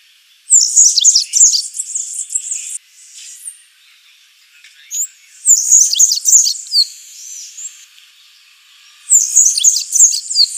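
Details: Black-faced grassquit song: three very high, buzzy, sputtering bursts, each about two seconds long, separated by pauses of two to three seconds.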